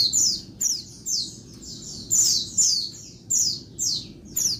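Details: Oriental white-eye female calling loudly by day to excite males: bright, thin, falling squeaky notes in pairs and triplets, repeated roughly every half second over quiet background hiss.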